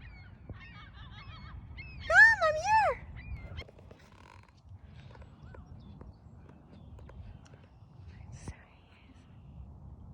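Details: A pet macaw that talks and screams while flying free at a park gives a brief run of wavering calls, then two loud, harsh arching screams in quick succession; a person speaks quietly in the background.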